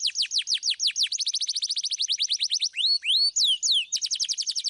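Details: Canary with clear 'suit suit' song and rolling trills: evenly spaced falling whistles speed up into a fast trill, broken by a few high rising slurs, then the rapid notes return.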